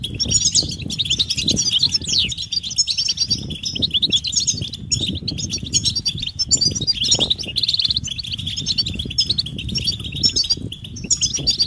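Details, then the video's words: Goldfinch mating and readiness calls used to prompt males to sing: a thick chorus of high tinkling twitters and short trills, with a brief buzzy burst midway and low fluttering sounds underneath. "بتبتة الحسون علاج سكوت الحسون نذاءات التزاوج والتجهيز"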